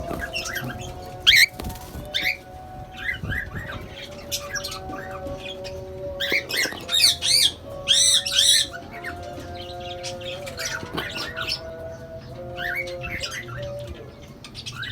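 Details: Cockatiels being bathed give bursts of shrill, chirping calls over steady, humming background tones.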